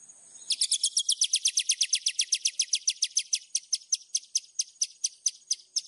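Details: White-rumped shama singing a fill-laden master song for training: a long, fast, high-pitched trill of sharp repeated notes that slows gradually toward the end.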